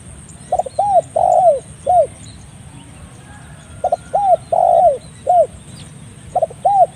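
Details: Spotted dove cooing in a recording meant for luring: arched, rolling coo phrases repeated about every three seconds, with constant background hiss and a thin high whine throughout.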